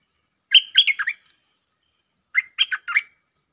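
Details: Bulbul lure song in the 'Chao Bank' style with doubled phrases: two short bursts of rich, bubbly warbled notes, each of four or five quick slurred syllables, separated by over a second of silence.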